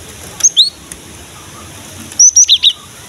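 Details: Cinereous tit singing, intended to prompt young birds to join in: a paired high whistle early, silence, then a rapid burst of four bright chirping notes.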